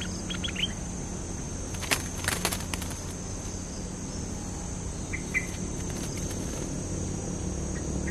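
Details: Lively Cream-vented bulbul song used as a lure: a quick run of short clear whistled notes at the start and a couple more near the end, with clicks and knocks midway over a constant low hum.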